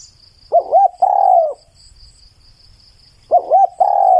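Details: Clear spotted dove song, two matching phrases about three seconds apart. Each has two quick, rising, looping hoots followed by one long, level-then-falling coo, over a faint steady high tone.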